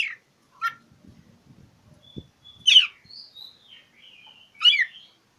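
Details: Magpie-robin song aimed at a rival, used to provoke quiet birds into singing. Loud, scratchy falling notes come about two seconds apart, with thin high whistles between them. Faint low rustling is heard early on.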